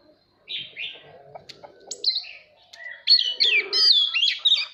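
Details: Oriental magpie-robin song used to train young birds' voices and spur competitive singing: varied clear whistles, slurred and warbled phrases climbing high, with short buzzy notes between, growing louder and denser toward the end.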